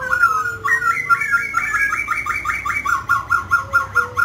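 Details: Grey laughingthrush, described as a mutant (aberrant) bird, singing while dancing: a series of about a dozen repeated whistled notes around mid pitch, rapid and rhythmic, with a low sustained tone at the start and end.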